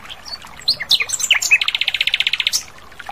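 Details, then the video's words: Asian brown flycatcher singing in the wild with a clear voice: scattered sharp chirps and slurred notes, then a fast, even trill of about twenty high pulses lasting one second, ending in a short upward flick. "Masteran Sikatan Londo Gacor Di Alam Liar"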